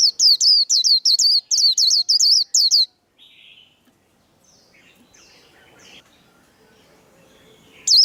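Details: Singing-contest líu of a white-eye, a burst of fast, high, hooked whistles lasting about three seconds, followed by near silence and a single note at the end.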